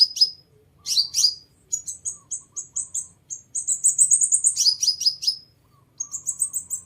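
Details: Lure recording of a sunbird: high descending chirps, a run of short whistled notes, a rapid trill of uniform buzzy notes, then more chirps and thin high notes. The recording is clean.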